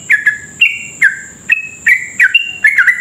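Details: Sooty-headed bulbul in rapid lure song to provoke other bulbuls into singing: a quick series of short whistled notes, some dropping in pitch, others held level and slightly higher, with a thin constant high tone behind.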